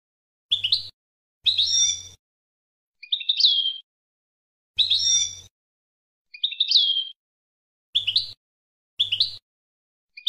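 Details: European goldfinch phrases recorded in 2020 for tutoring young birds and mules: scattered short buzzy bursts and twittering slurred notes, separated by pauses of about a second, with a faint low hum under some bursts.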